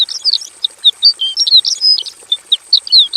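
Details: Javan bush lark in a simple aviary cage delivering full, lively song: a nonstop string of varied high slurred chirps, rising and falling whistles, and quick twitters.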